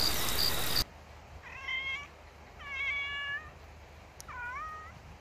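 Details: Mantanani scops owl (Otus mantananensis) on Mantanani Island, Kota Belud, giving three drawn-out, nasal, cat-like wailing calls, each under a second, spaced about a second apart, after a short burst of noise.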